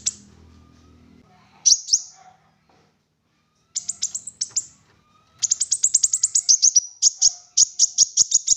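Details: Olive-backed sunbird singing as a lure for other sunbirds: a faint low hum at first, then isolated high notes and finally a long, rapid, rhythmic run of sharp chirps repeated many times per second.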